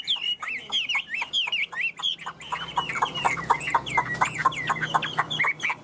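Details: Tam hoàng song of a caged Chinese hwamei: loud, looping whistled phrases repeated many times, becoming denser with quick chirps and downslurred notes.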